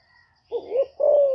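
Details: Female spotted dove cooing to stimulate newly kept males: a short rising two-part phrase followed by a longer, steady, slightly falling coo, low and mellow, with no other sounds.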